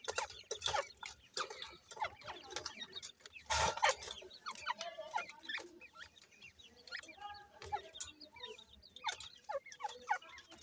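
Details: Grey francolin chicks being fed keep up many thin, rising cheeps and short chirps, overlapping, along with pecking taps and a burst of rustling.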